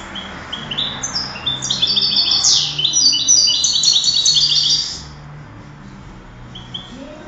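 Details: Singing-contest European goldfinch, 2008, building from scattered high chirps into a rich, rapid stream of bright twittering and buzzy trills that lasts several seconds, then stops; steady low background hum throughout.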